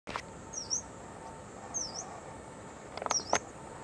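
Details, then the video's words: A yellow-browed warbler gives a few thin, very high, slurred 'tsweet' notes about a second apart, over a steady hiss with a few sharp knocks. "Yellow-browed Warbler 黄眉柳莺"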